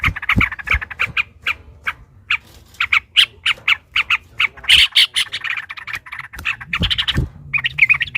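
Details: Fighting yellow-vented bulbul delivering a long rapid-fire ropel panjang song meant to provoke rivals into singing: strings of harsh, buzzy chattering notes tumbling quickly one after another, bursts separated by short gaps.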